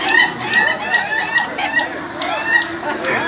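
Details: Laughing chickens crowing at a contest final in Indonesia: rapid staccato cackling notes in bursts, several birds overlapping, with a faint murmur of people in the background.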